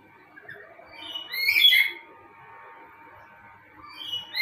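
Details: Male black-capped lory calling to attract a female: one loud, harsh, rasping squawk in the middle, then a second harsh call beginning at the very end, with quiet background between.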